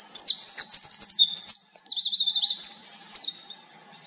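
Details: Winter wren singing a rapid, high-pitched cascade of tinkling notes and quick trills, rising and falling between high whistles and buzzy rolls for nearly four seconds, then fading out; no other sounds.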